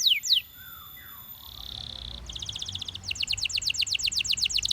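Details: Belgian canary singing: a few sharp descending whistles, a steady buzzy trill, then fast runs of repeated downward-sweeping notes growing louder toward the end.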